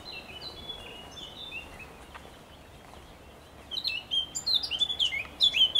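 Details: Blackcap song recorded on 27.05.2023 with a cuckoo calling nearby: soft twittering warble at first, then a pause, then a loud, rapid burst of varied high whistles and scratchy notes tumbling together.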